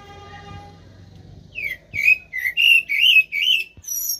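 A common blackbird sings a run of mellow, fluted warbling phrases that close with a thin, high twitter. A low hum fills the opening moments.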